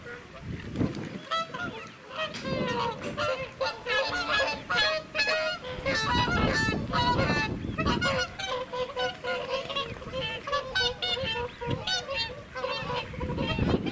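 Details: Recorded close up on 20 November 2017 at Welney WWT, Norfolk, UK, a noisy flock of whooper swans trumpets and honks almost without pause, loud bugling calls overlapping, over low wind or water rumble.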